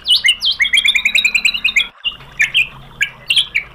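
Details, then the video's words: White-rumped shama song used as training and lure material to rouse a bird into answering: a rapid run of bright rising whistled notes, then scattered sharp chirps and slurred phrases, with a faint low hum beneath. "MASTERAN MURAI BATU biar EMOSI jadi NYAUT GACOR BONGKAR MATERI TEMBAKAN ¦ PANCINGAN MURAI"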